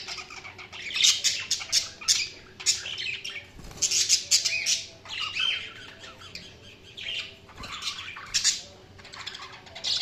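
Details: Loud budgie chirping in bursts: rapid squeaky chirps and harsh squawks clustered in phrases a second or two long, with a couple of brief soft pauses between them.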